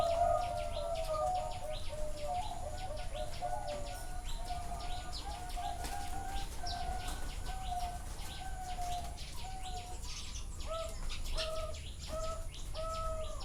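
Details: Caged zebra doves at a bird farm in Chana, Thailand, recorded live: many overlapping high, rolling cooing phrases repeat throughout, with sharp clicks and rattles from the cages and a steady low rumble beneath.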